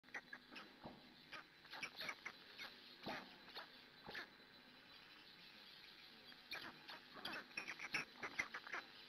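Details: Black stork at a nest in Hungary, female tending her chicks, picked up by a live nest camera around 6 a.m.; short breathy, scratchy bursts come in uneven clusters, some doubled, with quiet gaps between them.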